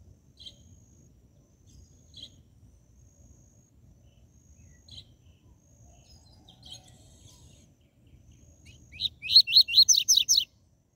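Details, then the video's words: Captive coleiro (Double-collared seedeater) song in the 'tui tui zel zel' style, played to fire up other caged seedeaters: after soft scattered chips, a closing burst of about seven rapid, high, upward-swept whistled notes. "Esquente seu COLEIRO e PAPACAPIM CANTO TUI TUI ZEL ZEL"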